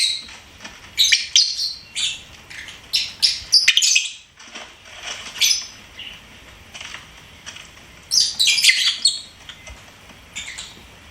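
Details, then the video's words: Lovebird singing and chirping as a pet: irregular runs of quick, high, scratchy chirps, about three to four per second at times, a lull in the middle, then a loud flurry. "LOVEBIRD SINGING & CHIRPING SOUNDS"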